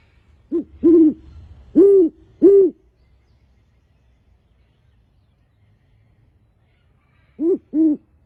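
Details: A captive male great horned owl gives deep hooting: a quick run of four low, slightly arched hoots, then a long quiet pause before two more hoots close together near the end.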